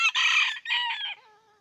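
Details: Red junglefowl from Aceh crowing: a harsh, broadband opening burst, a brief gap, then a second rough phrase fading into a thin drawn-out tonal tail, all within under two seconds.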